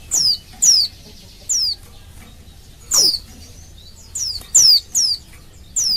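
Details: Oriental white-eye female calling males so they answer and sing; piercing high downward-sliding whistles, spaced unevenly, with a brief cluster of quick notes near the end.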